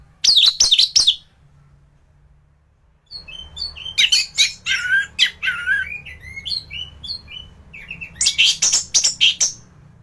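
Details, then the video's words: Anis thrush in strong singing form, recorded as tutoring material for other thrushes: a quick burst of sharp notes, a pause, then varied whistles, slurs and harsh chattering, ending in another fast burst. "Burung anis gacoran || masteran untuk burung anis"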